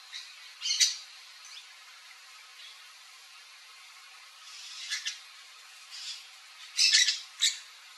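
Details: Palm tanager (Thraupis palmarum), Brazil, song: sparse, thin, squeaky high notes in a few short bursts with long pauses between them, clustering near the end.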